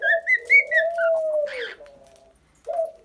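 A cockatiel whistles a short tune of clear, bouncing notes, then one long, steady whistle that slides down at the end, followed by a brief scratchy chirp indoors.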